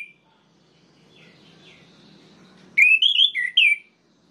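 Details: Orange-headed thrush song meant to make other birds of its kind agitated: quiet background, then a single fast phrase of bright, warbling whistles lasting about a second.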